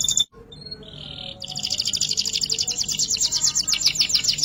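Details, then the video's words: Canary in showy ngerek-style song with full fills: a few clipped high notes and a short buzzy tone, then a long, fast, rattling high trill of rapid chirps. "Masteran Suara Burung Kenari Full isian Gacor ngerek Gaya Mewah Istimewa"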